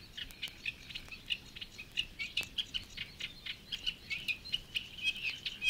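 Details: A Eurasian reed warbler in the reed beds of Matsalu, Estonia (1979 field recording), sings a steady, chattering stream of grating and sharper notes, several a second, many repeated two or three times before changing.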